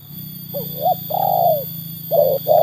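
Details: Spotted dove, a trained bird tested against wild doves, utters a few soft broken coos: short wavering notes, one long descending coo, then two more brief ones, with a low rumble underneath.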